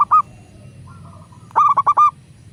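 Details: Local zebra dove, used as a prompting recording for doves: a lone coo note, a soft faint trill, then a loud phrase of five quick rolling coo notes.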